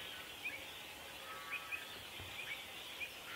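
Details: Pied avocet (Recurvirostra avosetta) protecting its chicks during a territorial dispute gives short, clipped, fluty 'kluit' alarm notes, five spaced irregularly over three seconds, against steady hissing background noise.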